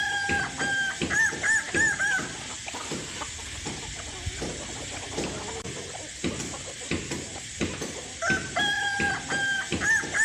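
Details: Kukuak Balenggek rooster raised as a hobby, crowing in short bouts of looping, warbled syllables at the start and again near the end, with clatter and faint voices in between.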